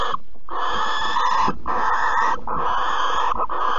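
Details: Long, harsh hissing screeches from a barn owl during mating and a mouse handover, Alphen, April 2020. Four near-continuous raspy calls with barely any breaks.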